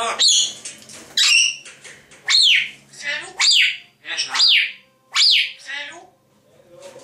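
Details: Two pet grey parrots indoors give a string of short, loud, downward-sweeping whistled squawks, about one each second, mixed with softer chattering, speech-like sounds.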